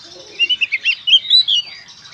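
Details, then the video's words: Oriental magpie-robin, presented as therapy to prompt magpie-robins to sing, delivering a quick string of short chirps that runs into warbled, slurred whistles over about two seconds. "suara burung kacer gacor konslet ini ampuh buat terapi kacer agar bunyi"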